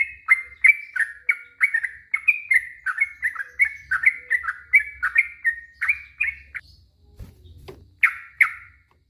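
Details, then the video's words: Yellow-vented bulbul singing a long 'ropel' sequence, used to stir stressed or mute bulbuls to respond: some seven seconds of quick bubbly warbled notes, a short gap with a low thump, then two final liquid notes. "Suara trucuk ROPEL PANJANG,,trucuk stress trucuk bisu pasti nyaut seketika"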